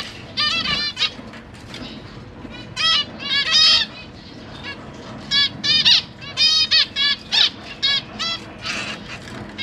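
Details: Zebra finch family kept in a large cage, two adults raising three juveniles and three fresh fledglings, recorded 12 September 2023 during feeding; repeated short nasal beeping calls, mostly paired or tripled, becoming denser in the second half.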